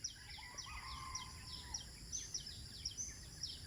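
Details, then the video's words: At Eco Park 1 in Bandar Seri Botani, Ipoh, Malaysia, birds sing at sunrise. Sharp, high descending chirps repeat several times a second, and a soft lower whistle runs early on against a continuous high drone. "nature & birds singing"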